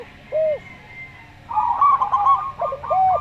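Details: Local zebra dove with a slow voice: a lone lower arched coo, then a busy run of quick, stuttering high notes, ending with more rounded coos from a calm Javan derkuku dove.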